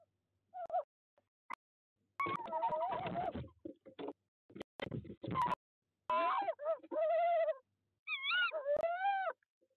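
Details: A tawny owl pair at a nest box in De Mortel, Netherlands, during the breeding season, 22 February 2021, as the male brings prey to the female for the third time. Wavering, nasal, whining calls come in short bursts, some rising and sliding, with scuffling and rustling.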